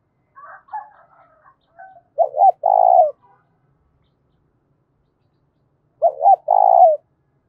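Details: Spotted dove giving a loud, resonant challenge coo used to provoke fighting: faint soft murmurs first, then two phrases, each a short stuttering double note followed by a long, even, low drawn-out coo, in a quiet setting.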